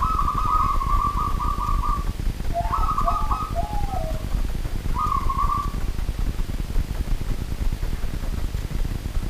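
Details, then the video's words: At night, a local wild zebra dove gives a long fast rolling trill, then a burst of short dropping coo notes, and after a pause another brief trill, all over steady low-pitched background rumble. "BURUNG PERKUTUT LOKAL ALAM GACOR DI MALAM HARI"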